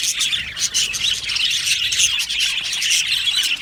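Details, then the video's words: Australian budgie colony in an aviary, an even, bustling chorus of overlapping high chirps and soft warbles from numerous birds. "Australian Budgie parrot chirping sounds"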